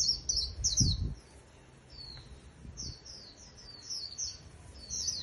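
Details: Japanese white-eye in contest trap singing: opening loud high twitters, a soft low thump, then a string of quieter thin slurred notes building again toward the end.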